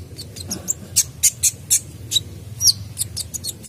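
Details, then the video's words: A sunbird in full song gives a rapid run of thin, very high, sharp chips and short trills, several per second, over a faint low hum; used as a lure to prompt singing. "Kolibri Dacok Gacor Full isian"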